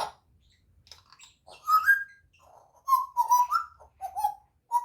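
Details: An 8-month-old pet baby African grey parrot that is learning to talk and starting to mimic sounds gives short whistled notes in bursts, some sliding upward and some level, with brief pauses between phrases in a quiet room.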